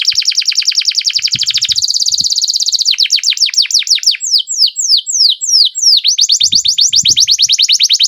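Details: Long canary roll: very rapid trilled notes that tighten into a dense buzz, then slower descending swoops and another fast rising trill, with faint knocks in the background.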